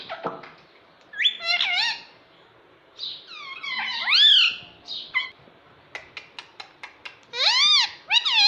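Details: Talking pet parrot, said to say "Mummy" and "Mitthu". It gives a series of rising and falling harmonic calls, some swooping sharply, and a run of short clicks before a final loud burst of arched notes.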